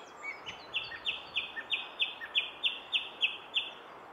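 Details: Song thrush singing at the Henry Moore sculpture: a run of about ten sharp, identical notes repeated roughly three times a second, with faint higher notes above and a steady background hiss.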